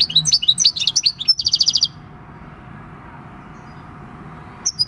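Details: Wild-caught six-year-old European goldfinch in field-style song, 26 December 2019: a quick jumble of high chirps flowing into a rapid even trill of repeated notes, then near silence and one brief closing chirp.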